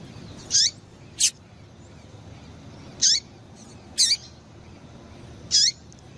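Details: Female double-collared seedeater giving calls to stimulate males to sing: five high, sharp chirps over six seconds, mostly with a quick downward-curving tail, irregularly spaced against soft background hiss.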